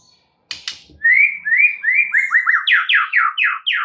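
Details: Full 'isian' song of a white-rumped shama, used as a lure to prompt other birds to sing: a click, then a fast run of bright whistled notes that step upward and get louder.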